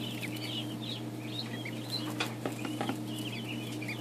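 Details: Newly hatched Ancona ducklings just out of the hatcher: thin, high peeps from several birds overlap continuously, with a steady low machine hum and a few soft knocks in the background.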